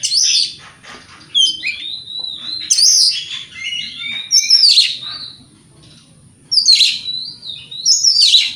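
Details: Singing white-rumped shama at morning, aimed at making rival birds answer: several phrases of slurred, rising and falling whistles with sharp high flourishes, separated by short pauses.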